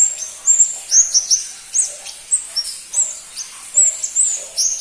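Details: A crimson-breasted flowerpecker (pentis pelangi) repeats sharp, high ticking chirps and short whistled slurs roughly twice per second, irregularly spaced, loud and clear over soft hiss.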